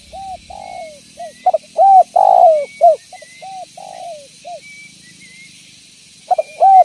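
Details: Spotted dove used as a decoy to lure and catch others, giving a long series of low coos. Clipped stutters build to louder drawn-out coos, with softer trailing notes and a faint steady background tone.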